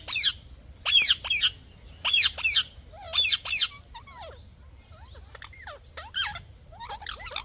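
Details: Parrot repeating harsh paired squawks about once a second, followed by softer, higher whistled chirps that rise and fall, over a low background murmur.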